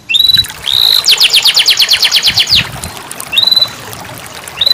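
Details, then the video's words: Canary song for coaxing a caged bird: short upslurred whistles, a two-second pulsing trill, then quiet with another brief upward whistle and faint background hiss. "terapi kenari macet bunyi"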